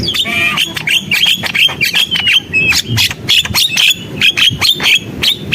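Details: Javan myna gacor song: a continuous scratchy chatter of squawks and clicks, interspersed with short level whistled notes, in uneven bursts about once a second, with a soft low rumble in the background.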